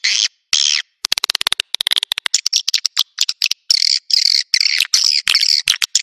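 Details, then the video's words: Swiftlet attraction call in the Naga Merah style, used to lure birds to nests: two buzzy notes, a burst of rapid ticking clicks, then dense chattering buzzy chirps. "Suara Burung Wallet Naga Merah"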